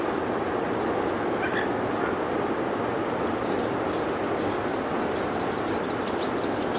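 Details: Nestling yellow warblers call from their nest: high, thin, short notes repeated about three per second, building into a dense, overlapping chatter of rapid high peeps in the second half, set against steady heavy rumbling noise.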